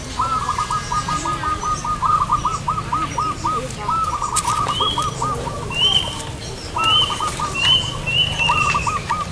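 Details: Zebra dove calling during trapping in front of a house: long rapid staccato cooing trills, several in a row, broken by brief pauses, with another bird's high whistled notes repeating over faint background hiss.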